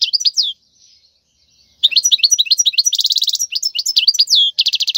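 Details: Wild European goldfinch singing a khalwi-style song played to chicks as a model: lively tinkling twitters alternating with rapid buzzy trills, after a brief opening phrase and a short silence.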